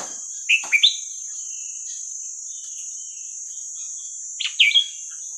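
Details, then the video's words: Red-whiskered bulbul song in the hua krok khayao khuat style, used for teaching young birds: two short, liquid warbled phrases about four seconds apart, each of three or four rolling whistled notes, with a constant high hiss between. "เสียงนกกรงหัวจุกเพลงหัวครกเขย่าขวด เปิดสอนลูกนก"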